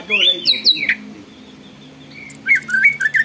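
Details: Greater green leafbird in full voice, described as stirring other birds to sing and get worked up: a burst of harsh, sliding squawky notes, a short pause, then clipped whistled notes repeated quickly.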